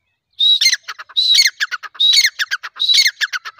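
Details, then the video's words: Grey francolin (teetar) giving its loud repeated call: four rhythmic phrases, each opening with a clear high whistled note followed by a rapid stutter of sharp, clipped notes, repeated roughly every 0.8 seconds, with no other sounds. "teetar ki boli|teetar voice|tetar ki awaz|francolin voice|teetar ki awaz sound|female teetar ki awaz"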